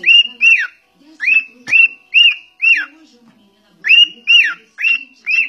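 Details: Talking cockatiel giving clear, high whistled notes, each rising then dipping in a quick arch, repeated in pairs with short pauses between groups; one sharp click is heard midway.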